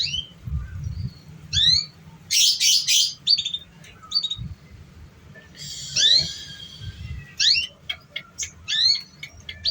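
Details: Canary song used as a lure to prompt young, still-untrained canaries to sing: sharp upward-sweeping chirps, short whistled notes and two dense buzzy bursts, separated by brief pauses, over a low steady background hum.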